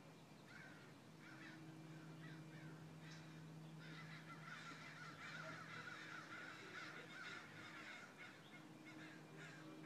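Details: Crows calling, with scattered harsh caws early on and then a dense, overlapping chorus of raspy calls from several birds over a steady low hum.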